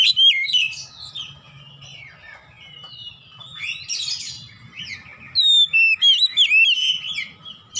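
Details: Kacer (Oriental magpie-robin) song in the ngeplong gacor manner for training caged birds at home: a sharp opening whistle, rambling softer warbles, then a rapid closing string of loud looping whistled notes.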